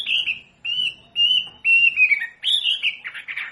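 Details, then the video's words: Masteran of a wambi for captive-bird training: a series of long, steady, high whistles separated by short silences, ending in a busier, rougher burst of overlapping notes. "SUARA MASTERAN BURUNG WAMBI BELAJAR BUNYI PASTI IKUT NYAUT"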